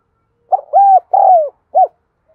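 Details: A captive Spotted dove used as a lure bird gives a single cooing phrase: a short stuttered note, two longer smooth coos, then a brief clipped final note, soft and low-pitched against silence.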